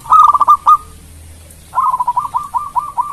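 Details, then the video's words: Local zebra dove in full song, used as a lure to make rival birds answer quickly: two bursts of low, rolling, rapidly repeated cooing notes broken by a short pause. "Perkutut Lokal Gacor Suara Merdu Bikin lawan cepat nyaut Bunyi"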